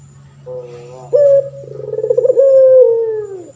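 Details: Male puter pelung turtle dove, a caged bird in full voice, kept for training other birds: soft low hum, then a sharp clear coo note, a rapid pulsing roll, and a long sustained note sliding downward at the end.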